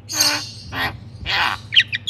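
Crested myna giving three harsh, rasping squawks about half a second apart, then a quick run of short, bright chirps.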